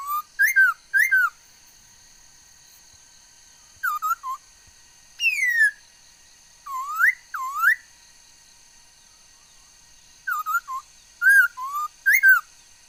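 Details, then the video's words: Laughingthrush, said to sing many kinds of sounds, 13 August 2021: a mix of short note clusters, descending whistles and upswept hooked whistles, delivered in irregular bursts with brief silences between. "noog sab hwj txawj quaj tau ntau yam suab khúớ mầi hót"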